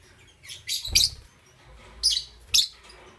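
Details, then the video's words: Green opaline and parblue euwing green opaline lovebirds heard in the morning giving loud, harsh, high-pitched chirps in short bursts, two clustered early and two more about half a second apart later. "Lovebird Chirping Sounds"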